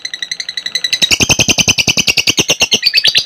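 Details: Caged lovebird giving a long ngekek, used as a lure to train other lovebirds: a rapid, even chatter of harsh repeated notes, about seven per second, rising in intensity after the first second, with music in the background.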